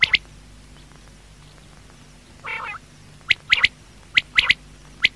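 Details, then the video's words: Quail calling at night: sharp, high chirps given singly and in quick pairs or triplets, irregularly spaced, with one harsher nasal squawk in between over a steady low hum. "Quail|Night|Best|Sound| Batair Awaaz"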